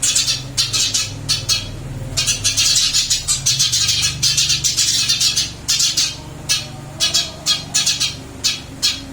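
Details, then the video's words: In a cage it has just been moved to, a Eurasian tree sparrow keeps up lively chirping: long stretches of rapid, piercing chips, then sparser pairs toward the end, with a low rumble behind. "Burung gereja pindah sangkar Alhamdulillah tetap gacor mase"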